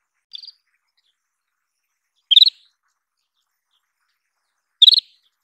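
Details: Isabelline wheatear giving three short chirped bursts of quick, clustered high notes, each about a quarter second long and spaced roughly two seconds apart. The first burst is softer and thinner. Otherwise silent.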